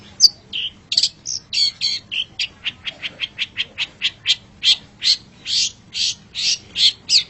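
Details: Long-tailed shrike as a pet, song used for training other birds: a steady series of harsh, clipped notes, some lower and some rasping, repeated roughly three times a second.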